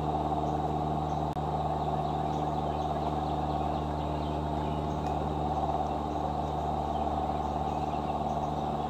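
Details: Steady electrical hum with layered low tones and one sharp click, with no animal voice anywhere.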